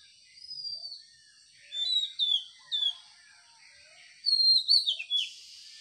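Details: Birds chirping in the morning: clear, high whistled chirps with short downslurred notes, given in separate bursts of two to four notes over a quiet background.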